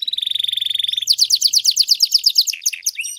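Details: One of three master singing canaries holding a fast, even high trill for a second, then breaking into a louder run of bright repeated slurred notes and a few sharp sweeps.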